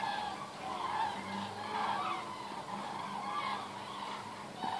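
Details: Thousands of common cranes flying over Osterath in Meerbusch in more than ten huge waves; a dense chorus of overlapping rolling, trumpeting calls, continuous throughout, with faint background hiss.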